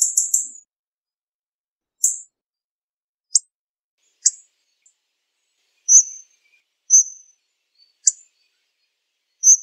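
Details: Hawfinch delivering a quick run of stuttered high notes, then spaced sharp ticks and thin drawn-out whistles every second or so in a quiet setting.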